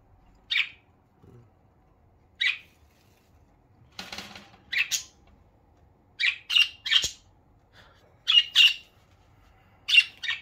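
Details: Pet budgerigars on a morning routine, described as a happy sound, give short bright chirps about every two seconds, some paired, with faint wing flutter and quiet indoor background.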